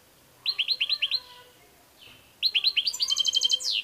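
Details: European goldfinch singing: a run of bright, rapidly repeated twittering notes, a short pause, then a faster, denser burst of tinkling trills climbing into a high buzzy flourish.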